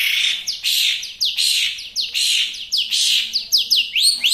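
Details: Long-tailed shrike singing rapidly as training material: repeated rasping, scratchy phrases with steeply falling notes, ending in clear upslurred whistles.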